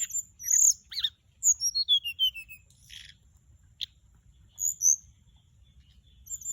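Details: Mugimaki Flycatcher lure song: bright high whistles, then a descending series of short twittering notes, a soft buzz, a click and two paired high whistles.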